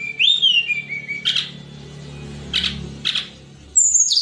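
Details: Flowerpecker known as tledekan gunung, in a recording for training songbirds: a rising then falling whistled slur, a few short harsh bursts, then very high thin whistles, over a low background hum.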